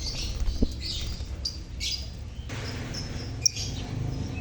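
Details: Lovebird colony chirping, used to prompt silent lovebirds to sing: scattered high, sharp chirps and short squeaky bursts, some overlapping, over a steady low hum and background hiss.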